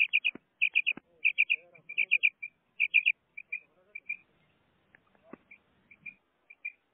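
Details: Pet female common quail delivering rapid triplets of bright high whistled notes, then softer spaced single and paired notes, with faint low murmuring and a couple of clicks behind.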